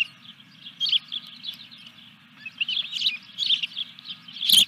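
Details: Fish brought to an osprey nest on 14 July 2021, evening; bursts of shrill, piping chirps in two loud clusters, with a low background hum and a sharp knock at the end.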